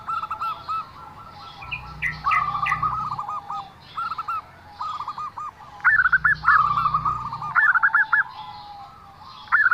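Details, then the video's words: Zebra dove with a strange voice: rolling trilled coos, some phrases starting with a rising upslurred note, repeated in quick beats, with an intermittent low hum. "perkutut suara aneh"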